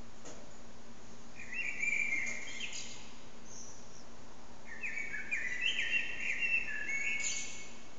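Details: Blackbird song carrying through a reverberant backyard, phone recording: a warbled phrase near two seconds, then a longer, twittering, chattering phrase after a pause, over constant low background noise.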